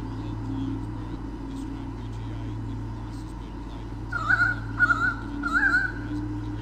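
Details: Nest camera at Sydney Olympic Park, Australia, records a white-bellied sea eagle pair driving swooping currawongs from their territory; after quiet hum, three loud honking calls come in the final two and a half seconds.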